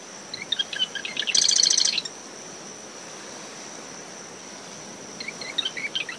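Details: Early morning marsh wren near its nest in windy dune vegetation at SMNWR after tropical depression Claudette. One loud phrase of clicking notes into a dry buzzing trill, then a fainter start of another. A constant high cricket drone runs over wind and surf.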